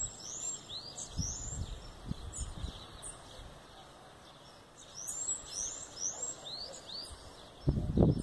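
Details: Bananaquit song of high, thin upslurred squeaks given in quick bursts, with a pause midway; low thumps and handling noise at the start and a loud bump near the end.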